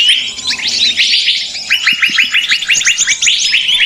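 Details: Excited small birds used to lure others into traps: jumbled high chatter giving way to a regular series of quick descending chips, with soft low taps underneath.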